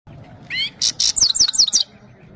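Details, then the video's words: Himalayan goldfinch singing at Parachinar, song meant for a female goldfinch: two rising whistled slurs, then a run of bright, buzzy, downslurred high notes packed closely over about a second, with a faint low hum beneath. "The best himalayan gold finch singing of parachinar top bird"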